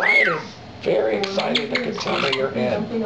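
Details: A pet lilac-crowned amazon gives one clear whistle that rises and falls, followed by throaty chortling, with people talking and laughing nearby.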